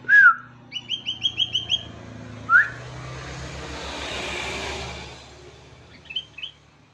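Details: Sooty-headed bulbul in the morning, a gacor singer with isian song: a loud rising whistled slur, then a quick series of six short chirps, another rising whistle, and a broad rushing noise in the background.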